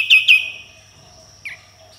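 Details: Sooty-headed bulbul singing in a vigorous, full tembakan style with harsh besetan phrases: two sharp, bright chirps in quick succession, then a brief pause and a single downward-slurred note, over a steady faint hum.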